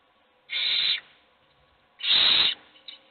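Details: Hungry owl chicks begging in a nest box where only one gets food: two drawn-out hissing screeches, the second louder and rougher, followed by a faint short squeak.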